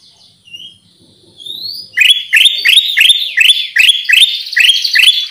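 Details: Lure sound of the Black-crested Bulbul, Pycnonotus melanicterus: a few thin rising whistles, then a steady run of loud, harsh chipping notes, roughly three per second, continuing to the end.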